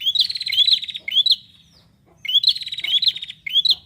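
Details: Bar-winged prinia in gacor form sings loud, high phrases. Each phrase has bright upslurred whistles over a fast buzzy trill. Two bursts are separated by a near-silent pause of about a second.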